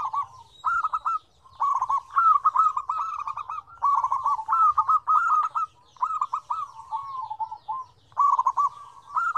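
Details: A lively chorus of zebra doves in five combinations of differing tones. Rolling, stuttering coos repeat almost continuously, phrase after phrase with short breaks, while faint high chirps of other birds sound in the background.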